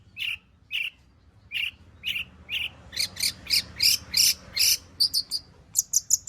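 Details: Long-tailed shrike delivering a full song of mimicked phrases, used to prompt other shrikes to sing: slow buzzy chirps about twice a second build into louder, faster, higher notes, then quick doubled chips.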